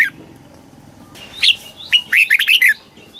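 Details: Caged red-whiskered bulbul from Thailand singing in the southern master style, used to excite birds or teach young birds: a lone whistled note, then a quick run of bright warbled phrases sweeping up and down.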